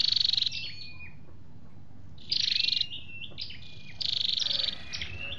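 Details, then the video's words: Scarlet-backed flowerpecker giving very high, thin buzzy trills in half-second bursts with short sliding ticks between, over a low rumble. The recording mixes in drumming and female calls and is used for trapping or to excite kept birds. "tiếng chim sâu đâu đỏ"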